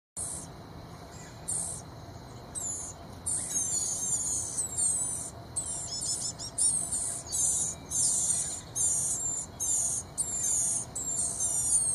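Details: Blue-gray gnatcatcher chicks beg as parents approach the nest carrying bugs: high, thin, wheezy bursts, breaking off and starting again about once a second, over a steady insect drone.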